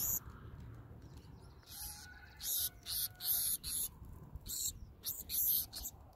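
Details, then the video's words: Black-throated sparrow young begging while being fed by adults: bursts of high, hissy peeps come in uneven runs, some doubled, over a low background rumble, with a faint steady tone in the middle. "Black-Throated Sparrows feeding, From Hand to Beak to Beak"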